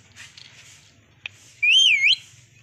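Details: Green Indian Ringneck parrot giving a single clear whistled note that wavers up and down, after quiet low hum and a brief click.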